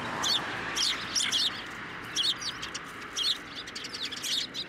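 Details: Eurasian tree sparrows at a Tenmangu shrine on 9 December 2023, flying onto a hand to be fed; bursts of short, high, sharp chirps come in clusters from several birds over a soft background hiss.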